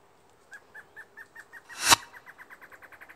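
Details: Large-billed Antwren, Herpsilochmus longirostris, singing: a steady series of short clear notes near the same pitch, about four per second, with one loud broadband burst of noise midway.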